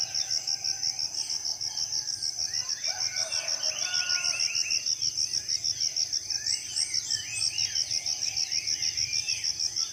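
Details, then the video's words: Forest birds at dawn in a Southeast Sulawesi rainforest. Buzzy trills and clipped whistled phrases come in bursts against a loud, evenly pulsing high insect chirping. "Merdu suara burung dipagi hari ditengah hutan"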